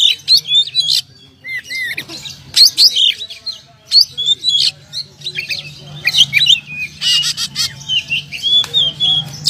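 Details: Champion oriental magpie-robin from bird contests, singing repeated loud phrases of sharp whistled notes, slurs and scratchy chatter in bursts roughly every second or two, with a low steady hum behind.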